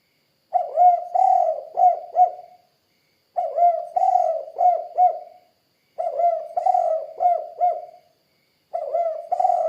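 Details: Spotted dove, known locally as tekukur, calling with a low, hollow cooing phrase of about four notes that falls away at the end, repeated every two to three seconds with clean silence between phrases.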